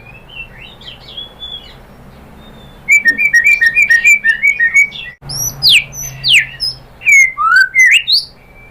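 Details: White-rumped shama song used to get other shamas singing: faint notes, then a fast, chattering burst of whistles, followed by loud, sweeping whistled notes that swoop up and down.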